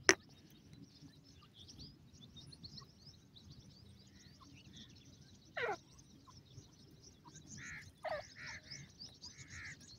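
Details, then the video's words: A francolin (Dakhni teetar) gives a harsh, downslurred note, then a quick series of loud, ringing, mid-pitched calls, over steady high chirping and a low background rumble. "teetar bird lovely sound, bird love teetar ki boli"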